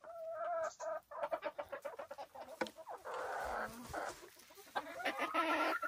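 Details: Silkie chickens on a small homestead farm in the Vermont hills, giving rapid runs of short clucks, then a longer harsh, noisy squawk and more clucking at the end.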